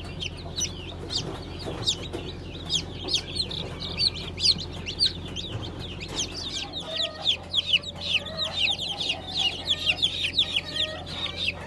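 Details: Brahma chickens, Modled, Light, Gold and Blue Brahma varieties, newly hatched 20 April 2020; dense high-pitched peeping from many birds, short rising-falling chirps growing busier and louder toward the end, with a low hum underneath.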